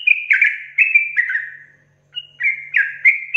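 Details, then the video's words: Sooty-headed bulbul in rapid song: a quick series of warbled, downslurred whistles, a short gap near the middle, then more loud whistled phrases. "TRUCUKAN GACOR ROPEL PANJANG"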